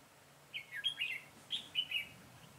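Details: Caged decoy red-whiskered bulbul singing to attract wild birds for trapping, 22 September 2017; two lively phrases of tumbling, slurred whistles about a second apart, clear against a quiet background.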